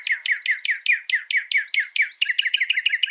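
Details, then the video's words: Loud Northern mockingbird song of fast repeated slurred notes, roughly four per second, each dropping in pitch, then switching to a quicker, higher stuttering phrase. "Mockingbird Bird Sound"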